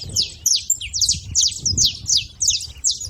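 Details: Saffron finches making noise at a feeding spot: sharp, high, downslurred chirps in quick bursts, several birds overlapping, with a soft low rumble underneath.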